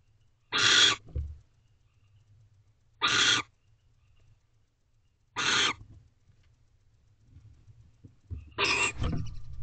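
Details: Wild barn owls in a nest box with owlets, recorded at 1:28 am on 19 April 2023 while the male brings food; four short, rasping, hissy screeches, spaced about every two and a half seconds, with soft thumps between.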